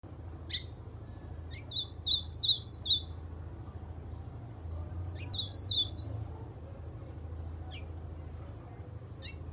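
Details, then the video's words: White-throated seedeater, a kept bird, singing in the style of the ultramarine grosbeak: two short bursts of wavering high whistled notes, separated by sharp clicks and a long pause, over a low steady hum. "Golinha cantando AZULÃO"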